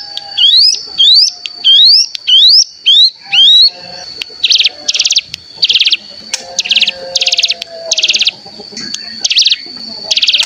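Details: ["Cigun lure with its typical call and a natural 'bren' (ngebren) burst: a few rising whistled notes, then a run of dense, buzzy rattling bursts repeated about twice per second over a steady high tone."]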